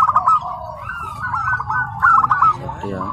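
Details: Home-raised tame zebra dove at a contest ground in Karawang, Indonesia, giving quick rolled cooing phrases on a steady mid pitch, two clear bursts with softer trilled notes between, and a brief voice near the end.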